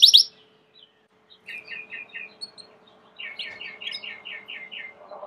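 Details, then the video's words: Belgian canary song, fairly quiet: a sharp note, a pause, then soft series of rapid downslurred chirps in two bursts, ending with a low buzzy note. "COMO FAZER SEU CANARIO CANTAR MUITO 20 MINUTOS DE CANTO"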